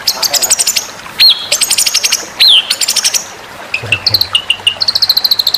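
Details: White-rumped shama song from a masteran training recording for competition birds. Bursts of sharp, repeated high chips alternate with clear whistled slurs, followed by quicker, quieter ticking phrases and a brief low thump.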